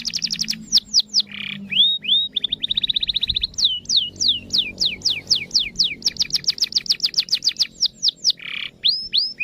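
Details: Canary song meant to set other canaries singing: fast trills of rapid repeated notes, downward-sweeping whistled slurs, a buzzy rasping burst, then a long rapid roll of sweeping notes, all high-pitched and continuous over a faint low hum.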